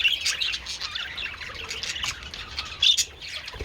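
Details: Budgerigars enjoying treats in the sun on 27th February, giving squawky chirps and short whistles, a few louder sharp notes near the end.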